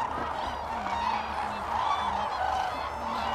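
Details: Cranes heard at Lake Hornborgasjön in Sweden during April 2017. Moderately loud trumpeting notes rise and fall over a constant crowd murmur of many birds, with softer low honks below.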